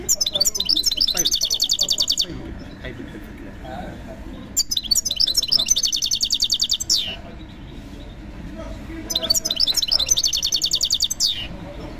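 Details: European goldfinch at a bird market, singing bursts of about two seconds of rapid, high, tinkling twitters and metallic trills, repeated three times with quiet gaps and faint market murmur.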